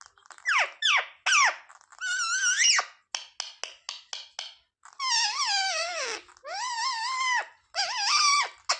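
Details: Pet parrot (mitthu) trained to say "mummy papa": sharp descending squawks, a run of short clicks, then long drawn, wavering voice-like syllables with rich harmonics, repeated in three stretches.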